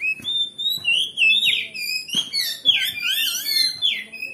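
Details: Oriental magpie-robin in lively, varied song, used to rouse a listening magpie-robin into a fighting mood. High whistles slide and warble, building to a dense flurry of twisting notes near the end, with faint clicks below.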